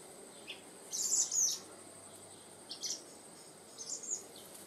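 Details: Eurasian blackbird young being fed at Raumati: high, thin squeaky begging chirps in short bursts, a loud cluster near the start, then briefer squeaks spaced about a second apart, over faint steady background hiss.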